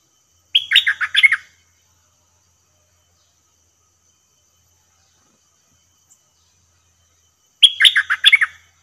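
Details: Caged bulbul used as a decoy while trapping, singing two short bubbly phrases of quick liquid notes about seven seconds apart, with near silence in between.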